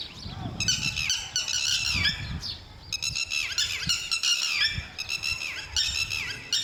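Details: Lapwing giving loud, shrill, harsh calls in quick repeated bursts, each note rich and strained with falling and rising inflections, several runs over nearly seven seconds; low rumbling background noise outdoors.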